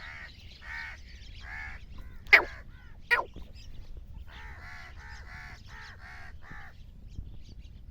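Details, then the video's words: Grey francolin call used as a lure for hunters: a run of harsh, nasal, stacked notes repeated in quick groups, with two sharp clicks in between and low background hum. "گورے تیتر کی آواز"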